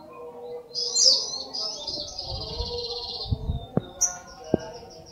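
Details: Sunbird song, locally called sogok ontong, in lively gacor style: high thin warbling phrases and a sustained shimmering trill, with a few sharp clicks and low background rumble.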